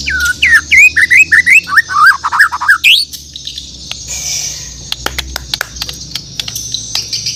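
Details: Borneo white-rumped shama singing in the morning: a rapid, rolling series of looping whistled notes for about three seconds, then quiet clicks and a soft hiss.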